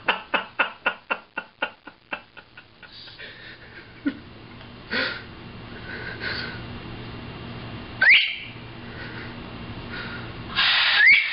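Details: A two-year-old Harlequin Macaw, talking in a mirror in a small indoor room, gives long breathy 'shhh' hisses, hushing a Blue and Gold Macaw, with a few whistled squeaks, after a run of quick tapping clicks.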